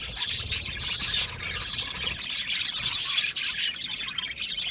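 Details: A dense aviary chorus of budgerigars: continuous high, scratchy twittering and chirping from many parrots calling together.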